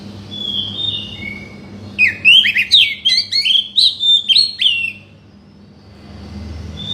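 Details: Oriental magpie-robin song used to coax a bird that has stopped singing: soft whistles, then a two-second burst of rapid, varied chirps and slurred whistles, followed by quiet with a low background hum.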